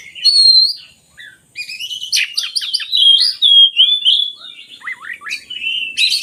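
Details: Oriental magpie-robin song for coaxing idle birds to sing: a bright whistle, brief pause, then dense buzzy chatter flowing into smooth sliding whistles and looping notes.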